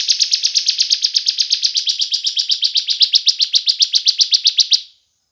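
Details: Bar-winged prinia, used as a lure to get other prinias singing, delivers an unbroken five-second run of loud, rhythmic, buzzy high notes, around five per second, ending abruptly in silence.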